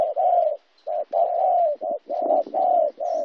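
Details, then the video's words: Local wild-caught spotted dove, Kon Tum, Vietnam, 26 January 2016; a dense series of mellow low coos, long drawn notes alternating with brief ones, almost continuous with only a short gap. "cu gay"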